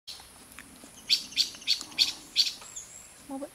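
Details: A Silver-eared mesia at Fraser's Hill, Pahang, Malaysia, in 2023, scolds angrily when no food was found, with five sharp, high chip notes, about three per second, before a brief low human voice.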